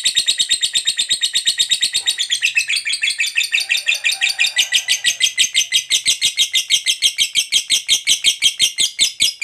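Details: Lovebird fighter delivering the long 'ngekek panjang' chatter that provokes other lovebirds: nine seconds of unbroken harsh, buzzy notes at about three per second, with a faint low whistle in the middle.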